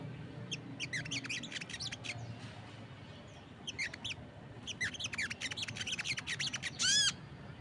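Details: Crested jay calling vigorously while other birds join in: bursts of sharp, high chirps and rapid clicking notes in dense clusters, a brief pause midway, then a fast run and one loud whistled note near the end over low background hum.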